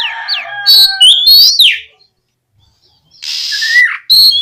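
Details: Loud, vigorous oriental magpie-robin song meant to stimulate untrained magpie-robins to answer: a dense run of varied whistles and slurred notes, a downward sweep, then a pause before a buzzy rasping burst and a falling whistle.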